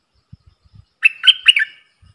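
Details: Dok taeng style caged bulbul in a singing duel with wild birds, dated 03/10/2564: one short, bright phrase of three or four liquid whistled notes after faint low knocks.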